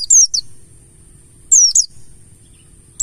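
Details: Mountain white-eye, called pleci buxtoni locally, sung in ngalas style as a lure to make other pleci sing: three quick high, sharp twittering phrases, each falling then rising, separated by pauses, over a faint steady high tone.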